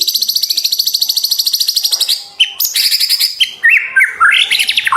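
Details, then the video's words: White-rumped shama song for training captive birds opens with a fast, evenly repeated high chattering note for about two seconds, then shifts to varied whistles, buzzy trills and upslurred phrases. "MASTERAN MURAY BATU 2024"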